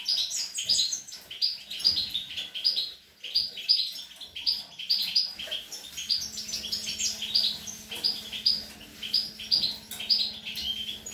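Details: Recorded 25 April 2021, a European goldfinch feeding its young delivers sustained bright twittering with sharp high chirps at a brisk pace, while a low steady hum runs through the second half.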